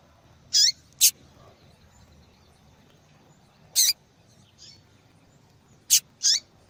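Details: A female double-collared seedeater calls over and over, the sort of female call used in breeders' tournaments and for stimulating males; sharp high chirps in pairs and singles, spaced a few seconds apart, with a soft faint note between.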